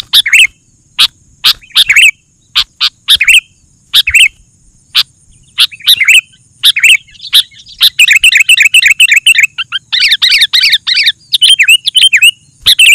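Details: Vigorous sooty-headed bulbul singing as a lure for wild birds: scattered sharp chirps at first, building into dense, continuous warbling chatter in the second half.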